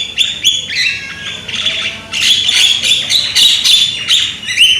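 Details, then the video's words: Young Javan myna singing loudly, a continuous harsh chatter of grating, high notes mixed with brief whistles, barely pausing. "JALAK KEBO MUDA SUARA KERAS"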